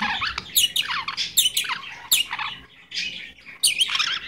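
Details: Pet Goldie's lorikeet indoors giving harsh, buzzy squawks and chatter in quick bursts, several loud screeches with short gaps between them.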